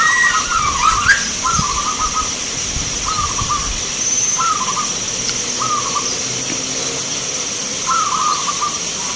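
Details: Local zebra dove singing at a song contest in Grabag, Magelang, Indonesia: short trilled, purring coo phrases at low-mid pitch, repeated about every one to one and a half seconds, over a steady hiss and faint crowd noise.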